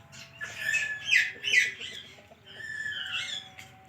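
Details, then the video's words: Talking parrot indoors: a run of quick, scratchy word-like syllables, then a longer drawn-out, moaning phrase, over a faint low hum. "Adorable Talking Parrot"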